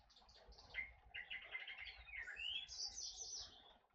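Dark-throated Oriole giving quick, varied chirps and short whistled slurs, high-pitched and bunched over a few seconds, with a faint low rumble behind.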